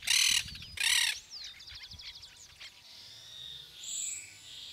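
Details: Yellow-headed caracara recorded at Gualeguaychú, Entre Ríos, Argentina: two loud, harsh rasping screams half a second apart, followed by softer thin whistles and chatter from other birds in the background.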